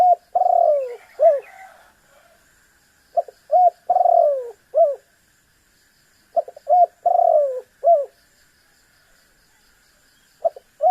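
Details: Spotted dove phrases meant to force a rival bird to call. A long descending purring coo with a short coo after it recurs about every three seconds, each time opened by clipped introductory notes. Otherwise quiet.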